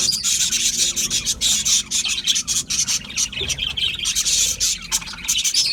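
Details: Budgerigar parrots chirping loudly in a dense group, with rapid, scratchy, high-pitched chatter and squawks pouring out nonstop from many birds at once.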